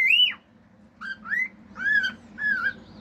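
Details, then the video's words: A male cockatiel kept as a pet sings natural songs and imitated sounds, including fiu-fiu wolf whistles, clicks and other birds' songs: four clear whistled notes, some arching and some rising, about one every two-thirds of a second, over faint room hum. "CALOPSITA MACHO CANTANDO CANTOS NATURAIS, FIU-FIU, ESTALINHOS"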